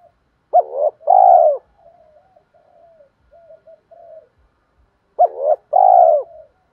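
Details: Spotted dove cooing to attract others: two phrases about five seconds apart, each a sharp hiccuping note followed by a sustained, falling coo, with a long stretch of soft gurgling notes in between.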